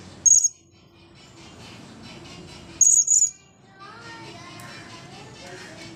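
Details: After bathing and drying off, a blue-crowned hanging parrot calls in shrill, piercing high bursts: one, then a doubled pair about two and a half seconds later, with a low background hum and faint chirps afterward.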